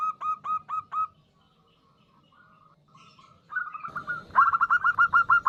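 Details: Female zebra dove (local perkutut) calling a male, used as a lure: rapid runs of short clipped notes, about six per second, a loud burst at the start, a quiet gap, then a louder, faster run at the end.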